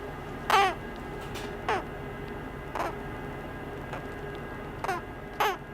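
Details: Kākāpō chick calling from inside its externally pipped egg in a hatching incubator, hatching imminent, 2019 breeding season: five brief, squeaky downward-sliding cheeps about a second apart over faint low hum.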